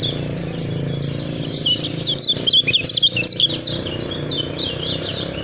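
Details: Lemon-bellied white-eye, locally kecial kuning from Lombok, gives a rapid chattering outburst of sharp high slurred notes at the center of the clip, fading into softer twitters, over a constant low droning background.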